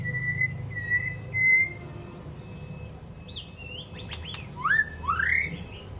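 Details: Long-voiced song of a White-rumped shama, meant to fire up and train weaker birds: three clear sustained whistles, a pause, then quick rising slurred notes and bright upswept whistles near the end, over faint hum.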